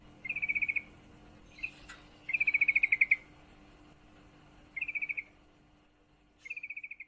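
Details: Calling female yellow-vented bulbul in heat, summoning a male: repeated rattling bursts of rapid bright notes, one run stretching to about a dozen notes, with pauses of one to two seconds between bursts.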